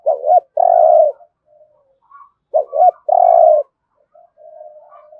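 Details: Spotted dove calling in thúc gù style with a resonant 'thổ rền' voice. Two phrases, each a short doubled coo followed by a sustained throaty coo, then faint soft cooing.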